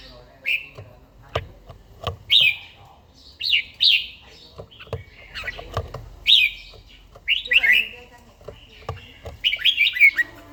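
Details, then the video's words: An old caged red-whiskered bulbul sings its morning training song in the wild forest-voice manner, repeating short fluty, slurred phrases every second or two, interspersed with dry tapping clicks from the cage. "chàomào HÓT SÁNG"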